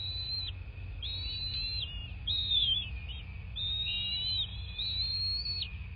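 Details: Bald eagle on a nest in southwest Florida, nest cam, morning of 26 February 2024; a run of high, piping whistles in looping, up-and-down phrases repeated steadily across six seconds, with faint hum beneath.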